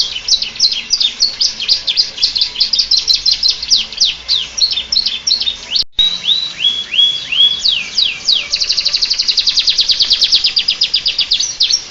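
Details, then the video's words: Canary song styled on the Bar-winged prinia: fast series of sharp descending chirps, then rising whistled notes, ending in a long rapid even trill, loud and close with no other sounds. "Suara kicau burung kenari rasa ciblek"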